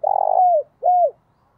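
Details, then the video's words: Spotted dove lure bird calling to wild doves: a long, rough, throbbing coo that slides down at the end, then a shorter smooth arched coo, in near silence. "Tiếng Chim Cu Gáy Thúc + Gáy Gọi Dùng Kích Bổi"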